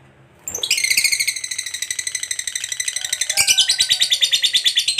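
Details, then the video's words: Lovebird in the long ngekek chatter, meant to provoke other lovebirds into answering: after half a second of quiet, a dense, buzzy, high-pitched rattle starts and runs on steadily, with a brief change in texture near the end. "KICAU LOVEBIRD GACOR NGEKEK PANJANG Bangkitkan EMOSI, Lovebird Yang DENGAR Nyaut BUNYI Seketika"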